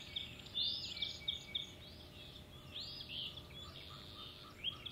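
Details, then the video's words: Male osprey at Hog Island, 17 April 2016, searching for his mate: faint, arched, whistled chirps in quick runs over steady background hiss. "Steve is looking for his Rachel. Hog Island Ospreys."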